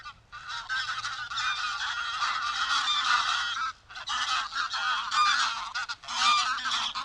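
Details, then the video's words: Greylag goose (Anser anser) flock honking in a loud, harsh, overlapping chorus almost without pause, broken by two brief gaps; recorded in the wild. "Greylag Goose Sound"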